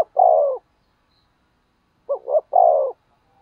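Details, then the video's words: A decoy spotted dove's 'thúc gù' coo, meant to make wild doves answer; one long falling coo, a pause of about 1.5 seconds, then two short stuttered notes leading into another long low coo. "Tiếng Chim Cu Mồi THÚC GÙ Bổi Nghe Ức Chế Gáy Theo Cả ngày"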